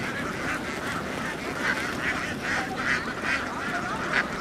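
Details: Flock of laying ducks in Vietnam heading down to a boat; rough, mid-pitched quacks come roughly once a second over a steady murmur of more distant duck chatter.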